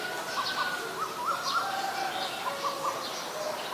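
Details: Asian koel, named in Thai as นกกาเหว่า, giving short peaked whistled notes in a loose repeated series at mid pitch, with a soft steady insect hiss high above throughout.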